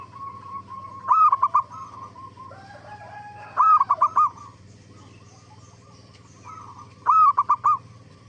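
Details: Lure recording of zebra dove song meant to make other zebra doves reply: three rolling phrases of clipped, bubbling coos, separated by softer, longer level cooing notes, with a low electrical hum beneath.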